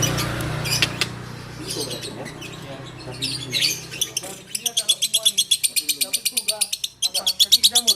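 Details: Konslet-style lovebird song recorded in Takengon, Aceh: brief voices and scattered chirps, then a long, rapid, evenly pulsed series of bright, high-pitched chirps, about a dozen or more per few seconds, continuing to the end.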